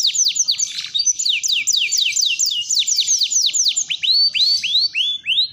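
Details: Canary singing at length as a training model for young canaries: quick chains of clear falling whistles, the pace slowing toward the end into separate rising-falling notes.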